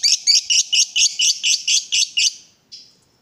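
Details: A lovebird giving a rapid series of about ten harsh, grating high notes, roughly four per second, ending with one fading raspy note.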